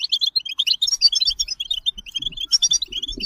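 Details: Goldfinch in bitbita song, a lively stream of tinkling, chattering high notes delivered without a break, with a faint low rustle underneath.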